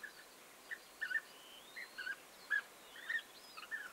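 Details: European bee-eaters recorded on 29 May 2021: about ten short, burry, rolling notes scattered over four seconds, some paired, with faint higher sounds in the background and a quiet hiss throughout.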